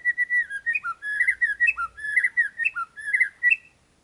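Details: Murai (shama) song used as a lure to prompt another bird to answer: a varied, rich sequence of loud whistled phrases, rising and falling notes with slurred and warbled elements, delivered almost continuously before stopping.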